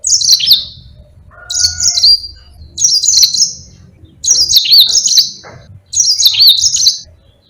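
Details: Yellow-fronted canary singing a vigorous long-rolling song meant for tutoring other birds: five sharp, high warbled bursts with dipping notes, repeated about every one and a half seconds; a soft lower whistled tone appears once.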